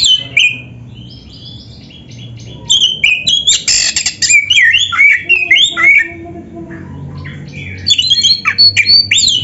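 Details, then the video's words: Oriental magpie-robin (kacer) in full-voiced gacor song packed with isian, imitated filler phrases: rapid, varied whistles and squawky notes, sliding and buzzy, in dense bursts after a quieter opening, with a low background hum. "Kacer gacor full isian RAPET"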